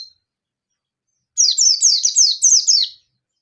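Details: Oriental white-eye, local yellow-bellied type, singing hard and agitated to provoke and call a rival: a faint high note, then a continuous fast run of high, sharply descending twittered notes for nearly two seconds.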